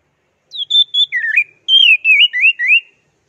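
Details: Orange-headed thrush in teler style: a series of clear whistled notes, some level and some dipping, then a faster string of up-and-down slurred whistles lasting about two and a half seconds.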